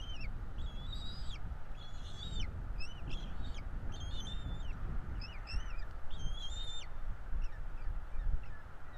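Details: Two bald eagle chicks begging while being fed at a nest in Florida, 5 April 2022; repeated high whistled notes with clear overtones, each holding level then sliding down, about one a second, over a constant low rumble.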